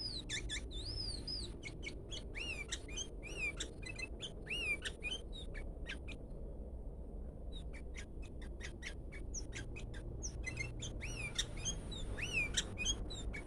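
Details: An odd call from a sooty-headed bulbul: curved, slurred whistles mixed with dense rapid chirps and sharp clicks, a brief quiet gap midway, with a constant low background rumble.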